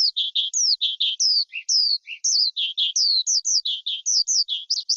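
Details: Skylark song made of crisp, high, downslurred whistled notes repeated in quick pairs, with a few lower chirps mixed in, steady and clear.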